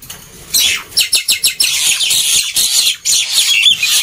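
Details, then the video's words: Black-winged myna in noisy song, played to get quiet birds singing: quickly repeated harsh falling notes, then a sustained grating rasp with scratchy chatter. "Kicauan Burung Jalak Putih Gacor Ribut || Pancingan Burung Jalak Malas Bunyi"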